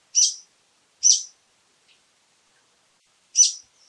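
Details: Rapid harsh calls from a brown-eared bulbul: two screechy notes under a second apart, a pause, then a third loud rasping note.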